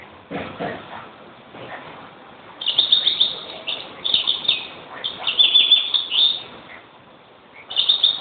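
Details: European greenfinch twittering in quick trilled phrases that grow louder after the first few seconds. Softer, lower rustling and chatter come first, and a fresh trill starts at the end.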